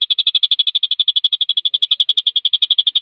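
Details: Javan cochoa singing fast and tightly, meant for tutoring competition songbirds: a rapid stream of clipped, high, evenly pitched notes, roughly eight each second, running continuously.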